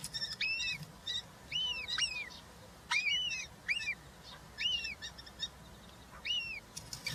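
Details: Three European roller chicks at a nest box in Hungary on 20 June 2023, being fed, one given a giant grasshopper; repeated arched, rasping-whistled calls with high harmonics, several overlapping, in bursts about every second.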